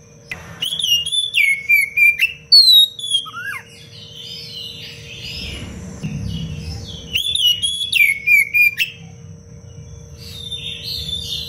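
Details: Oriental magpie-robin in lively, dense-phrased song used as a model for training other birds: bursts of clear whistles sliding downward, mixed with sharp rapid chips and trills, pausing briefly mid-clip before resuming; a steady low hum underneath.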